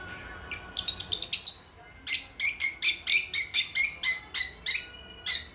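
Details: Young lovebirds a few months old chirping: a rapid burst of high, harsh chips, then a steady run of about a dozen scratchy, buzzy chirps, roughly three per second.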